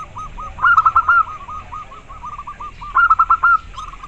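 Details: Zebra dove of a local strain giving soft, rapid rolling coos, two louder trilled bursts standing out against constant low rumbling background noise.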